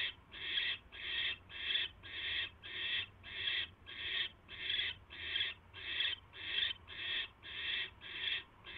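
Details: A barn owl hisses at the nest as a mouse is delivered, 10:22 PM, 22 January 2016: some fifteen regular rasping bursts in a steady pulsing rhythm, under two per second, over soft background hum.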